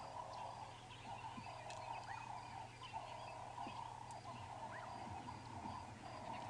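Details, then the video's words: At sunrise on an April morning safari drive, several doves coo together in a steady, overlapping chorus of soft, low, rolling phrases, the mainstay of the bush orchestra, with faint chirps from other birds and a low hum. "Yeah, you can hear the doves really starting to give it stick now."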